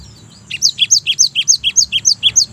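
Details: Java sparrow used as a lure to stimulate singing, giving a quick series of sharp, high, evenly paced chirps that alternate between two pitches, about a dozen notes, with a soft low background hum.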